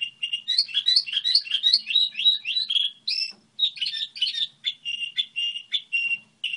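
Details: Goldfinch hybrid delivering its song model: a quick sequence of bright, upward-sweeping chirps, a buzzy twittered passage, then evenly spaced clear high notes repeated about twice a second. A faint low hum runs underneath.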